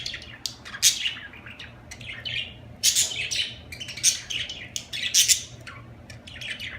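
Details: Lively budgerigar chatter: dense high chirps and buzzy squeaks in rapid clusters, loudest in bursts around the first, third and fifth seconds, steady low hum in the background.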